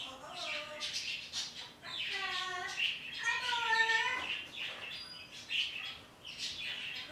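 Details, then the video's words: Pet parrot speaking to the birds outside on a morning: voice-like harmonic phrases with wavering pitch, mixed with high chirps and short whistles. "talking to the birdy's outside"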